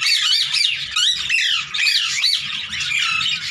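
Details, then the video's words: Indian green ringneck parakeet, tame, playing with its handler, gives two harsh squawking bursts with wavering bright tones, a slight dip between them around the middle. "INDIAN GREEN RING NECK HAND TAME"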